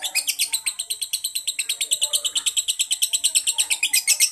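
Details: Semi-konslet song from a yellow fighter lovebird, bright high chirps pouring out in a fast, steady series of about three notes each second for the whole stretch.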